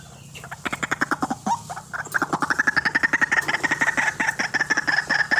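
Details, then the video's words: Lively white-breasted waterhen calling used for luring birds into traps: a fast series of rough, nasal notes that speeds up and turns more ringing and tonal, about four per second, with a low background hum. "RUAK RUAK GACOR GANAS RAJANYA PIKAT"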